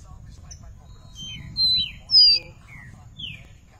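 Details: Black-bellied seedeater kept in a cage in Recife, Brazil, 30 July 2021, feeding on star-grass seeds: a run of clear high whistles, thin steady tones and downward slurs, two loud notes mid-sequence, faint talking beneath.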